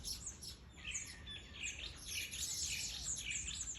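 Weavers chatter in a dense, continuous stream of high, wheezy chirps and twitters, with several birds seemingly calling over one another.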